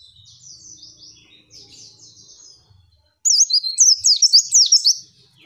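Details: Female white-eye song for training: soft distant twittering first, then a loud close burst of quick high zigzag whistled notes lasting about two seconds.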